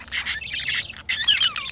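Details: Mating pet budgerigars, a male and a female pair; two quick buzzy chirps, then a longer warble ending in a series of falling whistled notes.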